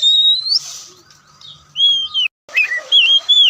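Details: Oriental magpie-robin (kacer) singing a few loud, pure whistled notes, rising then wavering, in quick short phrases with brief pauses between.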